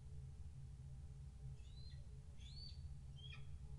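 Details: Bald eagle at a nest cam on February 10, 2013, during a switch at the nest by a captive breeding pair, with the first egg hatched; three thin, high chirping calls with short sliding notes under a second apart, over a low hum.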